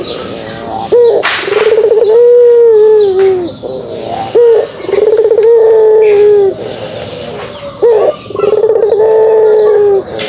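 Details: Pelung dove uttering the kugeruk: three long, steady low coos, each opening with a quick rising note and lasting about two seconds, repeated at regular intervals while thin higher chirps sound in the background.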